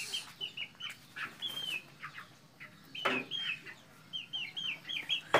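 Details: Farm-raised red junglefowl in Mukomuko regency, Bengkulu, Indonesia, giving bright, shrill whistled peeps that curve downward, delivered in bursts of three to five, mixed with knocks and scuffling sounds.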